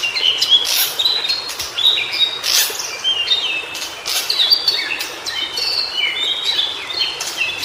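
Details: White-browed shortwing singing in natural habitat, a rapid jumbled warble of short high chirps and quick slurred whistles, broken by sharp clicking bursts, with a faint outdoor background.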